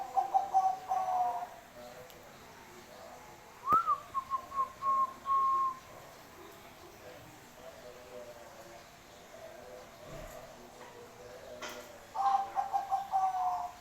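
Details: Bangkok-type zebra dove in full, lively song: three bursts of soft, rapidly pulsed cooing, each a fast stutter ending in a longer note, separated by quiet gaps, with faint background clicks.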